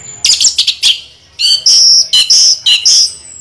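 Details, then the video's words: Orange-headed thrush rolling its song: a rapid cluster of sharp chirps, then a series of strong sustained high whistles with brief breaks between them. "Anis merah ngeroll"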